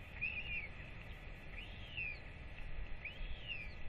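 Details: Royal albatross chick calling at feeding time with both parents home, 8.10.24; three drawn-out whistles arching up and down, the first wavering, with steady hiss beneath.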